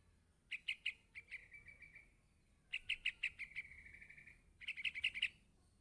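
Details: Yellow-vented bulbul chick calling for its parent, giving rapid strings of sharp chirps that run into a long, steady, slightly falling buzzy note, in three bouts.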